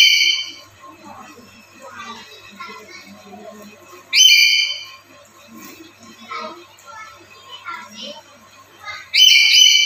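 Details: Caged black-capped lory, active daily and used as a master bird for training and luring other lories, giving three loud, harsh whistled calls with stacked overtones at the start, middle and end, with faint talking and a steady electrical hum between them.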